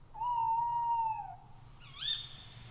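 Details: Tawny owl, a nocturnal raptor of European forests, at night: a long steady hoot held about a second, gently falling at the end, followed after a pause by a sharp high upward-bending call; faint low hum beneath.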